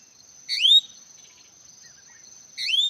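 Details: Hwamei giving two rising, clear whistled phrases two seconds apart, with faint soft notes between and a continuous high electronic-like hum.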